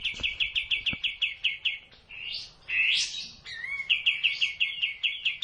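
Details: Training recording of a sooty-headed bulbul for caged birds: evenly spaced sharp chips in a fast series, broken by a couple of buzzy, rising swept notes, then the quick chipping resumes.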